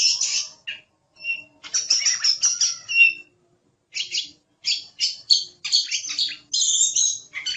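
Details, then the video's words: Gacor song of the kacer, or oriental magpie-robin, on a masteran recording: bursts of harsh, buzzy chattering and high notes separated by brief silences of about a second. "Suara Burung Kacer | Gacor"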